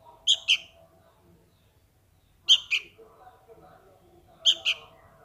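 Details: Sooty-headed bulbul nestling calling to its parent with harsh doubled chirps, three pairs spaced about two seconds apart, and quiet low hum between them.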